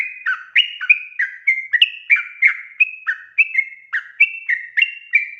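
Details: Sooty-headed bulbul in lively full song, played as a lure to make other birds sing: a rapid, unbroken run of short, bright whistled notes, each dropping slightly in pitch, about three per second, with no other sounds.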